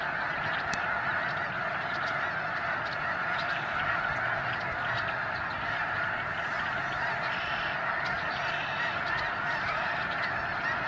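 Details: Migrating snow geese in the Sacramento Valley, a huge flock giving a dense, unbroken clamour of overlapping honking calls with no pauses.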